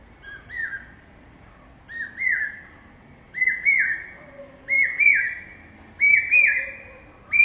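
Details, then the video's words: Common hawk-cuckoo (brain fever bird) calling its pi-peeah phrase: loud, high, whistled two-part notes, the second rising and slurred, repeated about every 1.3 seconds. A faint lower whistle is heard now and then in the background. "Common Hawk-Cuckoo calling...pi-peeah...pi-peeah...pi-peeah... (പേക്കുയിൽ കിഴക്കേ വാ....)"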